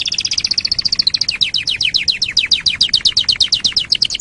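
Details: Canary singing on a songbird training recording: a rapid high trill of clipped notes that slows into a steady train of downward-slurred chirps, roughly seven per second, over faint background hiss.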